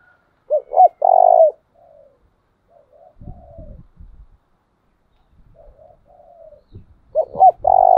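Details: Spotted dove decoy bird giving 'chìm' coos to train doves. A full phrase opens, with two short rising hoots and a long coo. Quiet cooing and a few low knocks follow, then the phrase begins again at the end.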